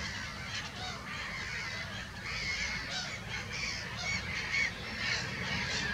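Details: Black-headed gulls at Monikie, a flock calling together: harsh, overlapping screeching cries in a dense, continuous chorus with no clear rhythm, over steady low rumbling wind noise.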